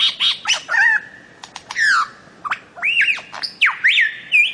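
A bird-of-paradise gives loud, harsh squawks mixed with ringing whistled notes that swoop up and down, in a rapid, irregular series of about one per second.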